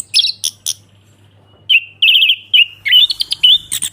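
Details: Ngeplong-style orange-headed thrush song: three sharp high chirps, a pause, then quavering whistled phrases and twittering notes, backed by a low constant hum.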